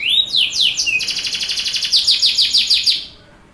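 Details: Canary song played to prompt young canaries to sing: rising whistled notes, then a fast, even trill of bright repeated notes lasting about two seconds before stopping.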